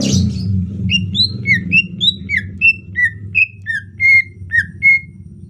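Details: Soft 'ocehan lemas' song of a greater green leafbird in the rainy season: varied clear whistled notes, some rising, some falling, delivered one by one in a slow, loose sequence after a brief noisy burst.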